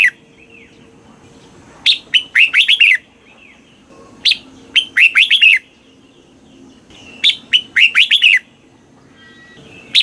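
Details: A red-whiskered bulbul delivers southern master-style song meant to rouse caged birds and train young birds: three lively phrases of clustered warbling notes, each about three seconds apart, with soft hum underneath.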